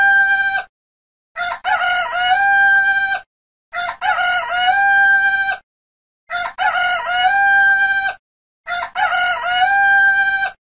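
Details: Red junglefowl crowing at dawn: loud rasping crows about two seconds long, starting with stuttered notes then a held harmonic tone, repeated roughly every two and a half seconds with silent gaps.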